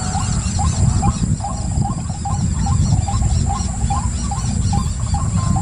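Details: Even, repetitive upward-slurred croaking notes from a white-breasted waterhen, about three each second, continuing throughout over a persistent low background roar.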